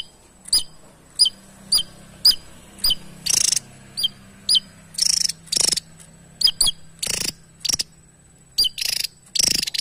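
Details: Javan tesia singing as master audio for training other songbirds: sharp high chirps repeated in pairs, interrupted by loud broadband bursts of rustling or scratchy noise.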